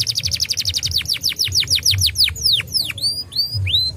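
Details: Canary song used as a lure to get young canaries singing: a fast series of descending whistled sweeps that slows into longer separate swooping notes, over low background hum.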